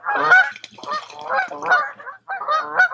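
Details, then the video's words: In July at a lake in the woods of Tamiment, Pennsylvania, geese call with loud, braying honks run together in quick groups. "Relaxing With Some Geese"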